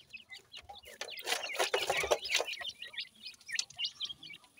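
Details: Indian Dakhni teetar, or grey francolin, chicks at feeding time in care; a dense chorus of thin, high cheeps several per second, with a louder burst of scratchy rustling in the middle.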